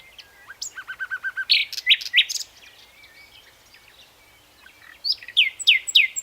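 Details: Common nightingale singing a varied song: a run of about five rapid repeated notes, then loud rising whistled strokes, a pause with soft thin notes, and another burst of bright repeated slurred whistles.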